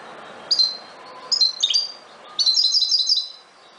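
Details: European goldfinch of the subspecies Carduelis carduelis parva sings three quick bursts of high, tinkling twitter, the last a run of rapid repeated liquid notes, over a quiet background.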